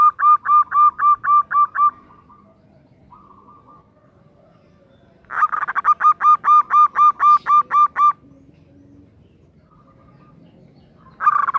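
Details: Zebra dove female calling to the male in long, fast, regular runs of ringing coo notes, about four per second, broken by quiet stretches with faint single notes, then resuming loudly.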